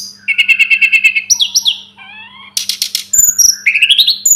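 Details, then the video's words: Sunda robin song opens with a fast, buzzy repeated trill, followed by twisting whistled slurs, a scratchy rattle, and rising high notes. A low hum is steady beneath it. "Masteran burung tledekan gunung"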